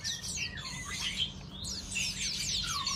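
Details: Long-tailed shrike sunbathing in the morning, delivering a dense, continuous stream of high chattering notes, quick sweeping whistles and harsh squawky phrases, with barely a pause over three seconds; a steady low hum runs underneath.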